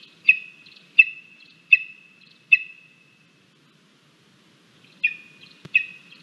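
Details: Lesser spotted eagle nestling in Latvia, 17 August 2022, angrily pushing its mother from the nest at breakfast; four shrill whistled cries with drawn-out trailing tones, a silent gap, then two more cries and a knock.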